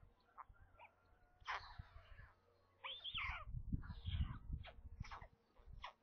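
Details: White stork chicks in a nest near Kaluga, central Russia, during a 27 May midday feeding; raspy, wavering squeals in bursts with brief pauses, over heavy low thumping and rustling from the nest.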